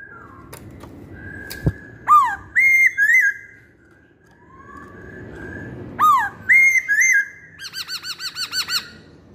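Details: Masked laughingthrush singing: sharp loud whistled notes, some rising and some dropping, come in bursts and end in a fast run of short bouncing notes, with quiet gaps between phrases.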